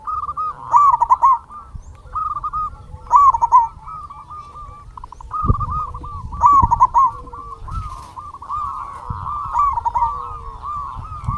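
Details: Local zebra dove singing as a lure to arouse and provoke other doves: loud trilling, bubbling coo phrases repeated roughly every three seconds, backed by constant cooing from neighbouring doves and a few knocks.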